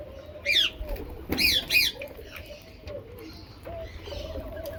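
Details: Rose-ringed parakeet feeding on mixed food gives three harsh, chevron-shaped screeches in quick succession within the first two seconds. A low steady hum-like tone and softer background sounds continue underneath.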